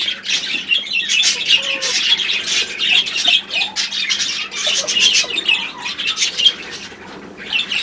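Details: Pet budgerigars keep up steady flock chatter, a mix of scratchy squawks, twittering and short whistles repeated quickly, with brief dips in volume.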